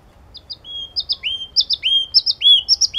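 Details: Yellow-cheeked tit song: a few thin high chips lead into a long whistled note, then a quickening series of arching, slurred notes with sharp high accents that grow louder toward the end.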